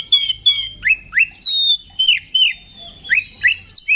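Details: Kacer fighting song in the ngeplong manner, meant to raise aggression in other Oriental magpie-robins. Harsh high chirps open into bold downslurred and upslurred whistles, with one long held note.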